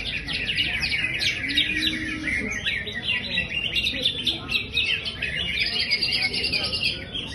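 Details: Champion greater green leafbird singing in high spirits: a continuous, rapid chatter of high twittering and chipping notes, irregular and busy throughout, with a brief low droning tone early on.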